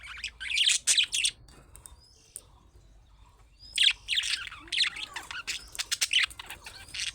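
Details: Pet budgerigars giving young-bird style calling chatter that makes other budgies answer; two loud bursts of bright chirps and squeaky warbles separated by a quiet gap, the second burst longer with rapid scratchy notes.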